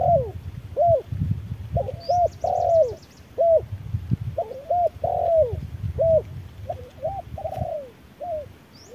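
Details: Spotted doves at harsh midday sun, a wild bird fighting an electronic decoy. Mellow cooing notes rise and fall in quick irregular series throughout. A thin, high rapid trill from another bird appears midway, over low rural background rumble.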